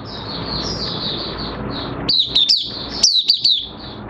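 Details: Oriental white-eye kept in a cage and in minor moult, 3 June 2022. Rushing background noise gives way to sharp, high twittering notes, each sliding downward, about six in quick succession.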